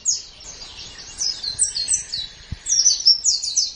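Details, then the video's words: White-eye singing from a training master track for songbird hobbyists: hurried, high, twittering chatter of overlapping slurred notes, growing louder toward the end, with one faint low thump. "Ocehan Suara Burung Pleci"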